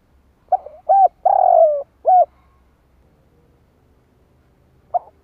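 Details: Spotted dove giving a decoy call meant to provoke wild doves into answering: a phrase of four low, hooting coos, the third long and drawn out, followed after a quiet gap by one short coo, with a calm background.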